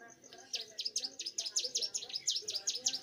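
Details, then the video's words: Bar-winged prinia, a young bird in full vigorous song, starts with a soft note, then pours out a fast, even series of bright, piercing V-shaped chips, roughly five each second, over quiet low background rumble. "prenjak gunung muda gacor"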